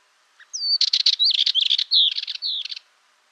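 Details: Singing Dartford warbler delivering one continuous phrase of about two seconds. Dry buzzy chatters alternate with clear, falling whistled notes, giving a jerky, scratchy warble. Nothing else is heard.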